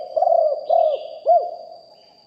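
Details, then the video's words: Live recording of a decoy spotted dove: the end of a cooing phrase, three soft, arched coos fading away, over a persistent thin high-pitched whine. "นกเขาใหญ่คับ birds - Ep 1 เสียงต่อนกหลิ่วห้อย เสียงใหญ่#2 & 4กุกห้อยเสียงใหญ่ บันทึกเสียงสด"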